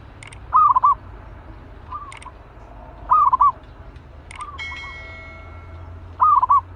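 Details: Fierce caged zebra dove, ready for trap training, delivers three loud staccato coo phrases roughly three seconds apart, alongside softer coos, sharp high clicks, and a brief ringing tone in the background.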